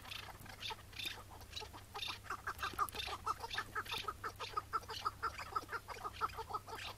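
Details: Chukar partridge of the Iraqi type, a wild bird heard on a May 2017 morning as it was being caught. It gives a few scattered notes, then a quickening, regular series of loud chuk calls.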